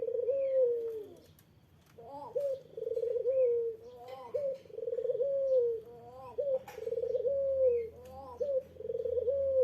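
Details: Eurasian collared dove (puter) uttering its rival-provoking call: a steady chain of low phrases, each a short upturned note leading into a trilled coo that glides down, with faint high chirps and a soft low hum behind.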